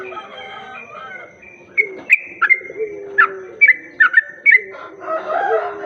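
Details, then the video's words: Sooty-headed bulbul song played as a lure to attract other bulbuls; a quiet start gives way to a run of sharp, bright, chirpy whistled notes about every half second, then softer mixed chatter at the end. "Pancingan burung trucuk"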